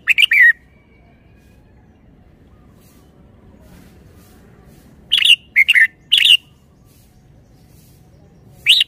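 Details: Singing in a cage, a Red-whiskered bulbul known for its good song style gives a short warbled phrase, then stays silent for several seconds before a burst of three or four clear, chirpy whistled notes and a final brief note.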